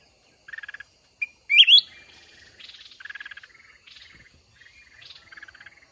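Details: Trapped mountain red-whiskered bulbul facing a decoy in a fighting contest: grating pulsed chatter, a loud twisting upward warble, then several more rasping churred bursts.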